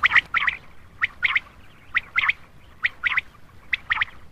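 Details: Common quail calls, used as a night lure to attract males: short clusters of two or three sharp, clipped notes, repeated about once a second with brief pauses between groups.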